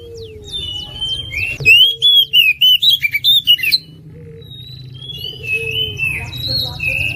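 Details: Oriental magpie-robin competition bird, national champion of 2021, singing full shooting-note phrases: after a soft opening, a two-second burst of loud, rapidly repeated high whistled notes, then quieter chattering and whistles over steady low hum.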